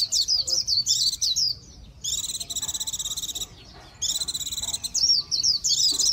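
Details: Lively Japanese white-eye song: jumbled high whistled twitters broken by long, rapid, buzzy trills.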